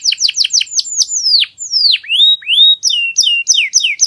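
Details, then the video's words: Canary singing a clear song: rapid repeated downslurred chips, then long sweeping descending and rising whistles, followed by steady rolling repeated notes. "MASTERAN KENARI SUARA PALING JERNI"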